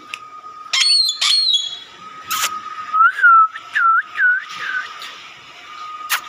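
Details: Chirping parrot: sharp clicks and short buzzy bursts, then a quick series of five scooped, whistled notes rising at their ends, over a constant background hum.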